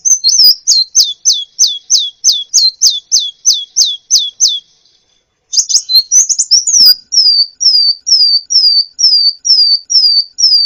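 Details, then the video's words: Recording of a kolibri ninja sunbird for teaching other birds to sing, with a fast row of sharply descending chirps, a short twittered burst, then evenly spaced high, falling whistles about twice a second. "masteran burung gacoan, Kolibri"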